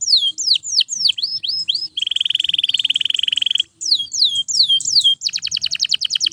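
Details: Canary song for training other canaries, mixing sharp down-slurred whistles, a long buzzy rolling trill, and a final fast series of short high notes.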